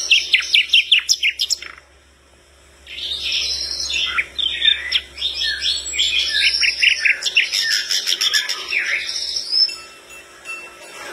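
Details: Flycatcher in vigorous song, said to get other birds responding: a fast burst of high descending chirps, a brief pause, then a long run of varied rapid chirps, trills and slurred whistles.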